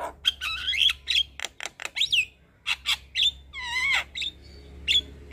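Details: Javan myna in vigorous song: harsh chatters mixed with clear whistled slurs and a wavering warbled phrase, loud strident bursts separated by short gaps, a low hum beneath.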